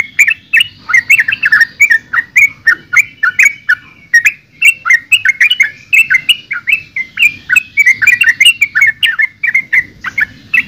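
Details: Yellow-vented bulbul pours out a continuous stream of lively, gurgling chirps and short warbled notes, repeated rapidly throughout, with a soft low hum underneath.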